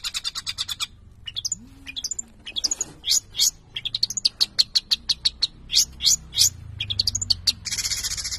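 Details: Cendet, the long-tailed shrike, in a lively song of sharp high chips, quick whistled sweeps and scratchy trills, delivered in uneven rapid runs; faint low background hum.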